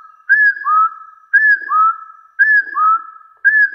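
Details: A Hill partridge gives its challenge call to rivals: clear two-note whistles, a high note then a lower rising one, repeated about once a second in a steady series.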